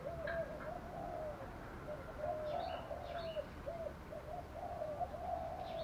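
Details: Spotted dove cooing in the Vietnamese 'thổ pha thúc đấu' voice style, used as a decoy to stir up wild birds. Low, hoarse coo phrases repeat almost without pause, with faint high chirps of other birds above.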